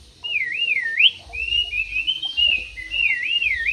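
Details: Whistled song of a caged Javan pied starling: smooth, looping, wavering notes strung together almost without pause, bright and high, rolling up and down in steady undulations.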